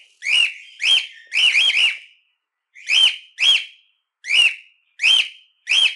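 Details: Cockatiel, its own song, calling and chirping repeatedly, meant to train and excite other cockatiels: bright arched whistles, single and in quick runs of three, about ten notes over six seconds separated by brief silences.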